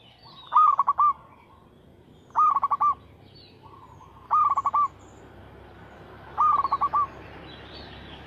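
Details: Zebra dove, a local bird, repeating its lure song: four evenly spaced bursts of rapid pulsed cooing ending in a longer note, over steady broadband background noise.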